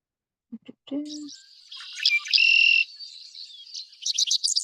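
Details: Male red-winged blackbird, a classic wetland sound across North America, giving its territorial conk-la-ree song: short clipped opening notes, then a harsh buzzy trill about a second long, trailing into scratchy chatter; a brief voice just before.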